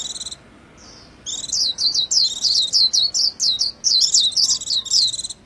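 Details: A soft single note, then a white-eye launches into a quick, sustained run of bright, high, rippling chirps.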